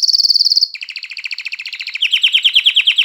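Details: Canary singing to stir females into mating and get young birds singing: a high rapid trill switches abruptly to a lower, rolling pulsed tour, which grows louder and more emphatic toward the end.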